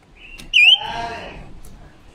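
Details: A female red-billed leiothrix decoy bird sings forest-type song, recorded October 2021 and used to train or lure males: a brief clear whistled phrase, a loud slurred rising note after a soft lead-in, trailing into a fainter, lower warble.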